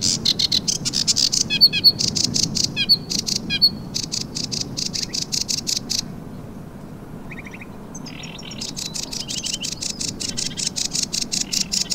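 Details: Sedge warbler, a ringed bird, singing at the Pierre Constant site in the Brière regional nature park, Pays de la Loire, France, on 19 April 2023: a fast chattering run of dry clicks and ticks with brief whistled notes, pausing briefly before resuming.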